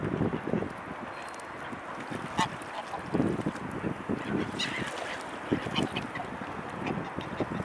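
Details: Mute swan calling: short, low, nasal honking grunts at irregular intervals, roughly five bursts over several seconds, set against a constant rushing water background.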